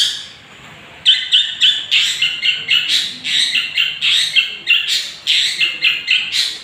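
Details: Harsh, rapid chatter from a young 'gondrong' Long-tailed Shrike, played as a lure to make rival birds agitated: grating notes repeated almost four times a second after a brief quiet start.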